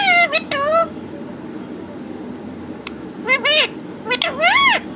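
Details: Parrot repeating "Mithu Radhe Radhe": two clipped syllables at the start, a quiet gap of about two seconds, then two more phrases of nasal, downward-curving, voice-like notes.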